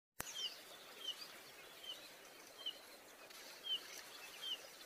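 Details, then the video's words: In Bogor, a Yellow-rumped flycatcher gives short, thin, high chips, about one every second, over a steady hiss of background noise. "Burung Yellow Rumped Flycatcher"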